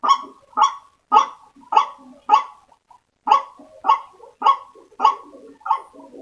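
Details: White-breasted waterhen call used as a lure to attract waterhens: harsh, nasal croaking notes repeated about every half second, with a short gap midway.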